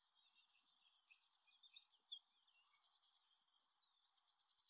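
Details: At Anderstad, Lier, on 17 May 2024, a singing sedge warbler gives a fast, scratchy chatter of high, buzzy notes in quick repeated bursts, shifting between rattles and short trills, over a faint low hum.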